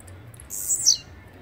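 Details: A single Blue-black grassquit song, a thin, buzzy, high burst of about half a second that descends at its tail, against soft low background hum.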